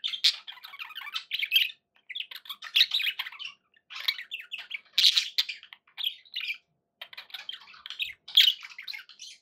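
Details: Pet budgerigars keeping up a continuous scratchy warble of chirps, clicks and squeaks in clustered bursts, with louder peaks every two seconds or so.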